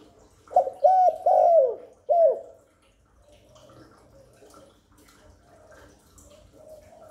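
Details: Spotted dove cooing to lure wild doves in and stimulate newly kept birds: a few throaty, wavering coos early on, then quiet with faint background noise.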